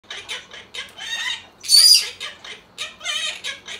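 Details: Monk parakeet (Myiopsitta monachus), song.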